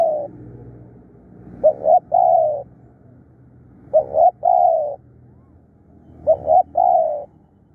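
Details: A fierce, hard-calling decoy spotted dove repeats its cooing phrase about every two and a half seconds, three times: two quick low notes and a sustained falling coo, with faint low background hum.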